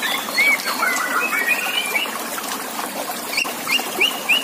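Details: Contest-training shama song over splashing water: a run of looping whistled notes at first, then a gap, then three or four evenly spaced upward-swept whistles toward the end.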